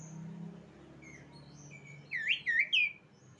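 Asian pied starling giving three quick, loud squeaky whistles near the end after softer thin notes, over a low background hum.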